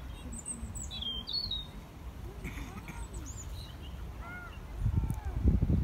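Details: European robin singing at a pond in the Botanic Garden in Edinburgh: short, high, thin warbling phrases over a steady low rumble, with some lower whistled notes and a burst of wind noise near the end.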